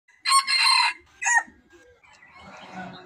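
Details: Red junglefowl decoy bird crowing: a loud, harsh, rasping burst lasting about two-thirds of a second, then a short clipped final note, followed by quiet background rustling.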